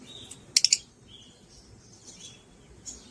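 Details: Peach-faced lovebird chirping: a quick burst of three sharp, very high chirps near the start, followed by fainter thin whistled notes scattered over a steady low background hum.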